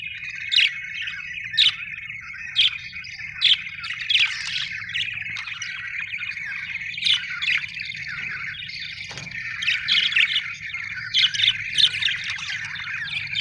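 Budgerigars chatter with bright, scratchy chirps and warbles, punctuated by sharp squawks.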